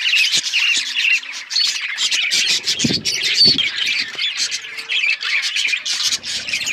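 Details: Many budgerigars sing at once, a busy blend of bright chirps, buzzy squawks and quick twittering that never pauses, with a few soft low tones underneath.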